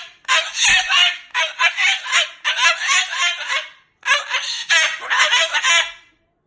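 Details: Pet Moluccan cockatoo cursing and talking loudly in anger at its owner; rough, hoarse syllables strung into rapid phrases, with one clear pause before another burst.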